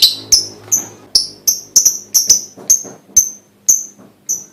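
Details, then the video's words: Lovebird lure sound used to get other lovebirds singing: steady string of short, piercing high chirps, roughly two to three per second, with a few doubled notes and no trill. "full bunyi pancingan love bird"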